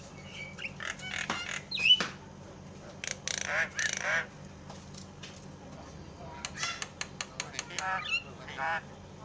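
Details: Javan myna sounds used to goad a quiet myna into calling: scattered sharp clicks, harsh nasal squawks and rasps, then a quick run of rattling clicks and a few scratchy notes near the end.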